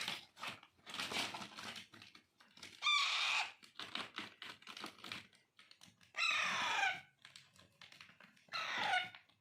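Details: Hand-fed Alexandrine parakeet (Raw or Pahadi parrot) chicks, hand-tamed pets, during daily hand-feeding: three harsh, raspy, harmonic-rich cries rise out of steady clicking and tapping feeding noises, each lasting under a second.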